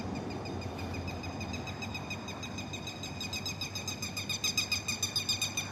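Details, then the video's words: Night-time bird in the Philippines, a sound locals tie to the aswang, giving a rapid, even series of high, repeated notes, about four a second and growing louder, amid steady noise. "scare sounds of birds"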